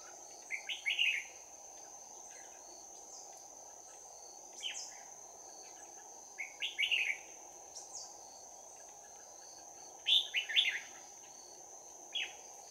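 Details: Trapped red-whiskered bulbul giving a bell-voiced fighting song on 11 January 2019: brief chattering phrases of sharp, warbled notes repeated every couple of seconds, with a persistent shrill insect chorus beneath.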